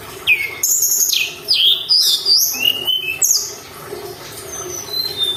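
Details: Mountain tailorbird singing vigorously, used as a lure recording to stir other birds: thin, very high whistled notes, several sliding downward, some rising, delivered in quick irregular bursts over a steady low hum.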